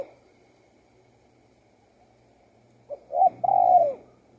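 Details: After nearly three seconds of quiet, a spotted dove gives one phrase: two short coos leading into a long, level then falling coo.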